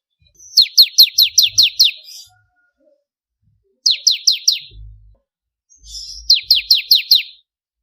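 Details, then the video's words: Singing bar-winged prinia for contest-bird training: short runs of four to seven bright, steeply falling chirps, delivered rapidly, with gaps between runs and a few soft low knocks in the background. "Ciblek Kristal Gacor"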